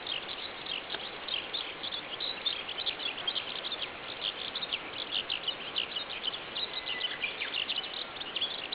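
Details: Eurasian skylark singing while rising into the sky over farmland at Shinmura, early morning around 5:30 on 25 May 2010; a dense, continuous stream of high, chirping, twittering notes with no pauses, over a faint background hiss.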